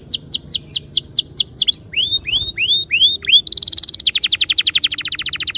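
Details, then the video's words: Canary song used as a lure to prompt other canaries to sing: upward-hooked whistled notes repeated about five per second, then slower rising sweeps, ending in a buzzy trill and fast rapid rolling notes. "Suara mastetan burung kenari _ PANCINGAN AMPUH KENARI BIKIN CEPAT BUNYI NGEROL GACOR"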